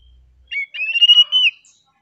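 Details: Oriental magpie-robin's relaxed song: a short whistled note, then a sustained warbling whistle that wavers and ends with a slurred drop, all within about one second.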